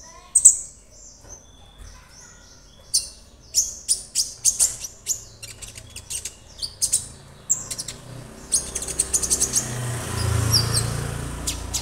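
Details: Young captive Orange-bellied Leafbird, kept alone for tutoring and already singing: bursts of sharp high chirps and clicks in irregular clusters, quieter after eight seconds as a low rumble rises behind.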